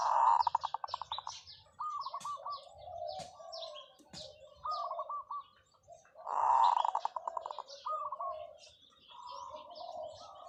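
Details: Zebra dove used as a decoy, giving long calls: a loud burring roll followed by stuttering coo notes, the sequence heard twice, amid scattered chirps of other birds.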